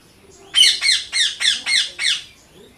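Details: Indian ringneck parrot kept as a pet, romping about in play, gives six harsh, raspy squawks in a steady series, each about a quarter second long with a downward-sliding edge, in a quiet room.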